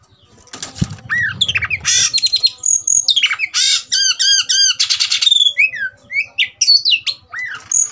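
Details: Oriental magpie-robin, kept and provoked to fight, singing an agitated, varied song of loud whistled slurs, rising and falling notes and harsh buzzy bursts, with short repeated arched phrases; a thud near the start.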